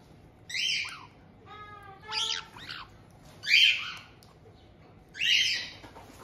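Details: A resident pair of captive White-bellied caiques greets a new young bird, just over two months old, at a home breeder in Tokachi, Hokkaido, in June 2023. Four separate shrill, rasping screeches are spaced about a second apart, one with a buzzy, toned quality.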